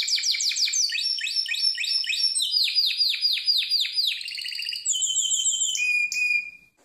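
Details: Singing Harz Roller canary, training song: quick falling sweeps repeated in rhythmic runs, then rattling trills and clear high whistled notes, fading out at the end.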